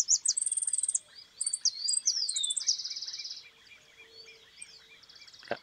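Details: White goldfinch, called 'suelto', in full song: a fast metallic trill, swooping slurred whistles and a long buzzy rattle, fading to softer twitter. A thump near the end.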